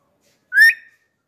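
An African grey parrot gives one short, clear whistle that rises slightly and fades, lasting under half a second. Nothing else is heard.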